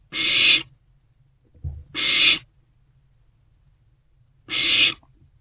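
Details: Night recording from an owl nest box in March 2024 while an owlet swallows freshly delivered prey: three rasping, airy hisses with a soft low thump between the first two.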